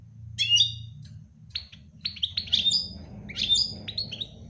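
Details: European goldfinch song: bright, high tinkling twitters and sharp chirps in short bursts separated by brief pauses, with a low rumble underneath.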